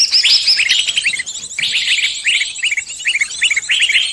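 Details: Lure recording meant to draw in birds of all kinds for trapping: dense, overlapping high chirps and short rising notes, fast and irregular, with a brief dip near the middle and a steady thin hiss above.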